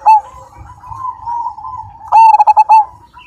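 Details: Big-voiced Majapahit-strain zebra dove with a 'super kung' ending. A sharp opening note gives way to soft, continuous coos, then a loud series of five quick, punchy coos.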